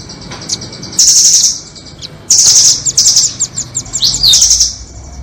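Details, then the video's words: Trapping lure of red-billed and 'doraemon' nuthatches: dense high-pitched trills come in two long bursts, then a quick upward-swept whistle and further rattling chirps, with faint hum beneath. "Pikat burung rambatan doraemon vs paruh merah"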